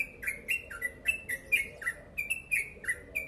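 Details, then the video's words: Energetic, tightly spaced song of a yellow-vented bulbul, called ropel panjang: brisk sliding notes roughly every third of a second, pitch stepping up and down, each note carrying a short high tick. "Crucukan ropel panjang gacor sped rapat"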